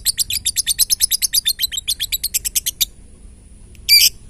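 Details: Lovebird singing the rapid 'ngetik' (typing) song, used to provoke other lovebirds into singing: a fast, even train of about twenty sharp, high chips lasting nearly three seconds, then a pause and one brief harsh burst.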